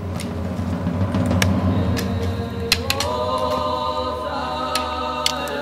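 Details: Choral singing over low sustained drones, with occasional sharp percussive clicks and no animal sounds.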